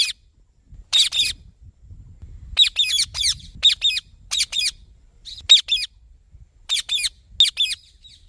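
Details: Ringneck parrot, green form, calling in shrill, rasping bursts, mostly doubled, coming in irregular rapid runs.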